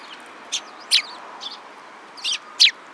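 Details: Sparrows recorded on 2 April 2017, giving short, high, sharp chirps in scattered single notes, five or six within three seconds, over faint steady background noise.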